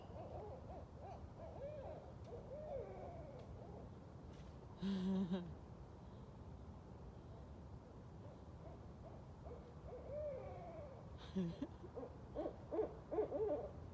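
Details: Night chorus of several wild Barred Owls caterwauling; cackling, wavering hoots overlap in bursts early and late, with brief handling knocks and a low hum from a person nearby in between.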